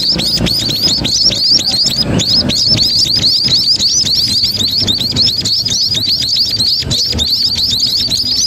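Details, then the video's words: Roadside munias calling together as a flock: a dense, continuous stream of sharp, high, slightly curved chirps repeated many times a second, with a steady low hum of passing traffic beneath. "burung pipit dipigir jalan poros"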